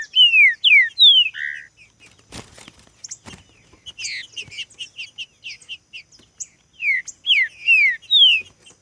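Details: In a singing contest, a green-winged saltator sings loud downward-slurred whistles, then pauses among softer chirps and a few clattering knocks before another fast run of clear whistled notes.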